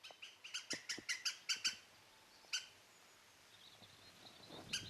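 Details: European green woodpecker calling: a quick run of about eight loud, harsh, laughing notes over under two seconds, then a single note and another at the very end, with quiet background.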